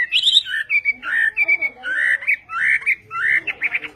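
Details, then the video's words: Chinese hwamei of the western form singing in Vietnamese style, using fuller, lower whistled phrases that slur upward and hold briefly, delivered in short rich bursts with small gaps between them. "HỌA MI TÂY - TIẾNG HÓT VIỆT"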